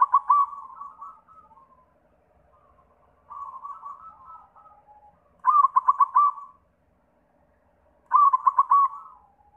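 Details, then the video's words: Lure song of a white zebra dove meant to set other zebra doves singing: four phrases, each a loud staccato trill of about five rapid beats trailing into softer cooing, repeated every two to three seconds. "Sura Perkutut pitih PAMCINGAN SEMUA JENIS PERKUTUT"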